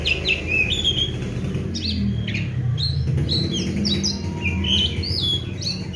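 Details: Oriental magpie-robin in energetic 'gacor' singing, a kept bird given seven crickets and morning and evening baths; bright slurred whistles and clipped chirps come in bursts, with a low rumbling background hum throughout.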